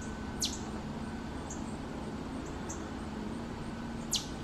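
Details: Northern cardinal, likely a young bird in late summer, gives chip calls: two sharp, high, downslurred chips about four seconds apart with fainter ticks between, over a steady low hum.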